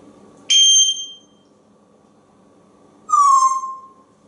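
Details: Pet African grey parrot, male, indoors at home in Texas, impatiently begging while waiting for breakfast: a sharp, high whistled note, then after a pause a second loud whistle that slides downward, over a faint steady hum.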